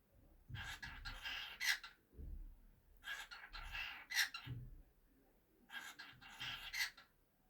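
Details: A pet cockatiel talking, repeating a scratchy, chattering phrase three times, each ending with a sharp whistled note.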